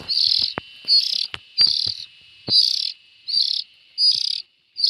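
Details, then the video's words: Young bulbuls calling with buzzy, scratchy hisses in a steady rhythm, about one burst per second, against sharp clicking and tapping noises. "Tiếng chim chèo non.suab mi nyuam noog siv txaij"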